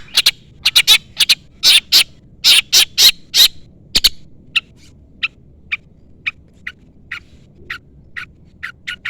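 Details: Long-tailed shrike calling out a rival, recorded as a lure: a dense run of loud, harsh scolding notes for four seconds, followed by thinner chip notes spaced about every half second.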